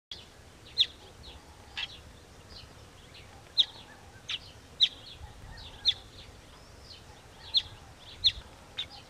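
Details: Weaver building a nest, giving sharp, high chirps at an irregular pace, about one a second, over a steady hiss of background noise.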